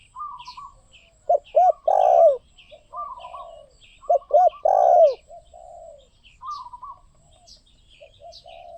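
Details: Spotted dove giving two phrases about three seconds apart, each two short coos then a long rolling one, with softer coos between and scattered high bird chirps throughout.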